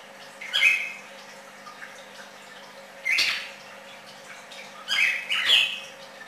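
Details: Red-crested cardinal song in short separate bursts: three sharp, bright whistled phrases spaced a second or two apart, with quiet pauses between them.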